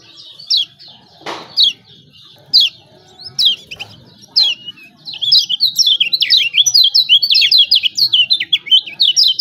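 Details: Lemon-bellied white-eye from Lombok, used as a lure to prompt reluctant birds to sing: scattered high chirps, then a fast run of sharp, twittering, rising-and-falling notes from about five seconds on.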